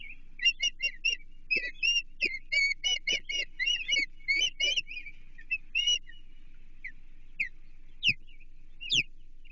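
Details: Osprey at a Chesapeake nest on 28 June 2023, during feeding when an American shad was brought: series of sharp, whistled chirps repeated rapidly for about six seconds, then a few separate upslurred whistles with quiet gaps.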